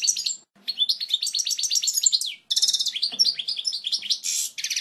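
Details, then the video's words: Goldfinch song for chicks to learn: lively sequences of upswept chirps and rattling trills, a harsh buzzy note near the end, with a faint background rustle. "لغة الحسون الاصلية القوية و الصافية لتعليم الفراخ Chant Chardonneret"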